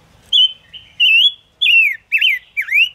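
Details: Song of the five-coloured bird (Gouldian finch), played to lure birds into traps: five bright whistled phrases, some flat, some swooping down and back up, with short gaps between them.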